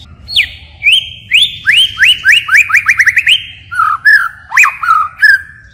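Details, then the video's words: White-rumped shama singing forest-voice style with continual phrase changes: a series of about ten loud downslurred whistles repeated roughly every third of a second, then lower warbled and looping notes. "Chích chòe lửa hót giọng rừng hay đảo giọng liên tục, บินหลาดง murai batu shama bird"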